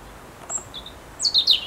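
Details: European robin singing in autumn: thin, high whistled notes, one held and one lower, then a quick run of bright tumbling trills sliding down, over faint background hiss.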